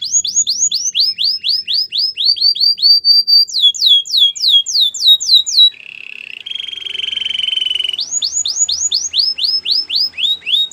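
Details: White canary singing a training song: rapid tours of repeated downslurred whistled notes, about four per second, broken by a flat buzzy trill mid-phrase, then more fast slurred notes.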